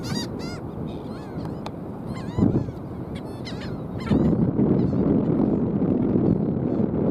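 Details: Black skimmers giving short nasal barking notes, several birds calling in quick overlapping bursts with brief pauses, over a steady low rumbling background noise that grows louder in the second half.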